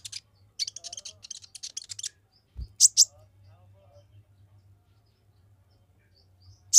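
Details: Olive-backed sunbird singing to stir rival males: two seconds of rapid, buzzy, high-pitched trilled bursts, then two loud sharp chirps, mostly quiet with faint clicks and a final sharp note.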